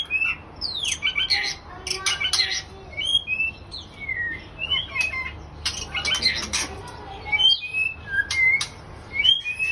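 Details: Breeding pair of white-rumped shamas in captivity, delivering a long mix of short sweet whistles, slurred upslurs and harsh rasping notes in irregular bursts, roughly one phrase per second.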